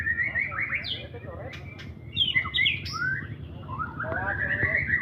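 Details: White-rumped shama in full champion song: varied clear whistles and rapid chirping phrases sliding up and down, over a steady low hum and faint voices.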